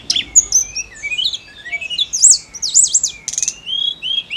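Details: Lively snowy-browed flycatcher song used to stimulate SRDC and oriental magpie-robin songbirds; piercing high zigzag notes, thin sliding whistles and a quick buzzy burst, tumbling together in a busy, energetic phrase.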